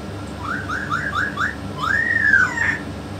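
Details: Pet yellow-naped amazon whistling: five quick short rising notes in a row, then one long, loud arching whistle that climbs and falls, ending with a brief higher flick.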